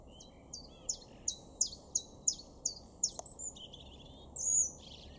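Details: Common chiffchaff in a garden at Weener, East Frisia, in Germany's far northwest, April; about eight crisp, high notes drop in pitch one after another, roughly three per second, followed by a brief thin whistle from another bird.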